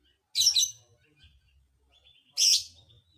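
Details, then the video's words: Lovebird calling to provoke other lovebirds: two separate bursts of shrill, harsh chirping, each lasting about a third of a second, roughly two seconds apart, with quiet between. "dijamin burung Lovebird lain emosi"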